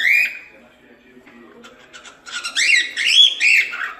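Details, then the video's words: Cockatiel opening with a single high whistle, then faint murmuring, followed by loud looping warbled whistles that rise and fall in quick succession. "Cantos e Assobios Para Calopsitas"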